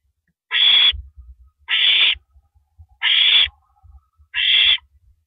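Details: Owl recorded at 1:27 AM, April 9, 2012, as a rabbit is eaten; four raspy, noisy screeches spaced about 1.3 seconds apart, over soft low rustling and knocks.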